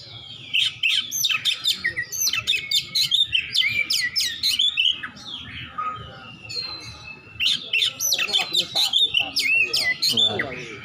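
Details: Fighting oriental magpie-robin seeking a rival, singing in the ngeplong style: a fast varied run of high whistles, sharp chips and rising slurred notes in dense bursts, with short quieter gaps.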